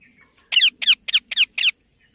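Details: Young Indian ringneck parakeet calling five times in a steady run of loud, grating, descending squawks, each short and evenly spaced, over a faint low hum.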